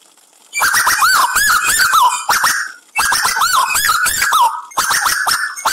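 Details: Chatty Tuwu bird on training audio with trickling water added, meant to stimulate caged birds, gives loud, ringing whistled phrases with slurred up-and-down notes and sharp clicks, repeated in rapid bursts with brief pauses.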